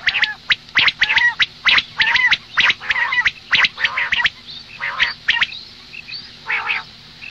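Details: Morning calling of a female common quail: a fast run of sharp, clipped squawks, close together for four seconds, then slower, fuller buzzy notes with faint thin chips between them.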